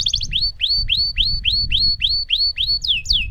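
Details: Lemon canary singing a long roll, repeating a bright upward-sweeping whistled note roughly four times per second, closing with quick descending slurs; a low background hum runs throughout.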